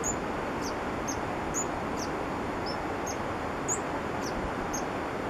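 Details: Green-and-white hummingbird in Peru giving very high, thin chips, about two per second, over a steady rushing background like wind or running water.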